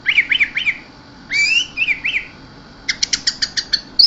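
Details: Orange-headed thrush in 'mabuk teler keserr' song: a few slurred down-curving notes, a buzzy rising phrase, then a quick run of evenly spaced sharp ticks.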